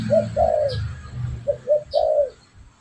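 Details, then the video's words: Spotted dove used as a lure: a brief coo and a longer hollow one, then two quick short notes and a drawn-out falling coo, with a faint low hum underneath. "Suara pancingan burung derkuku"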